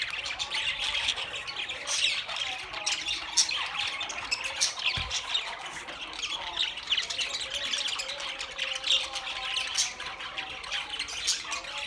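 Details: Many budgies calling at once: steady, slightly softer mass of high warbles, squeaks and squawks blending into one constant chattering texture.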